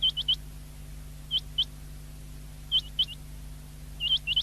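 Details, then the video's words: Common quail recorded 19 February 2024: short, sharp high notes in quick clusters of two or three, spaced about a second apart, over a steady low electrical hum. "Best common quail sound of the year 2023"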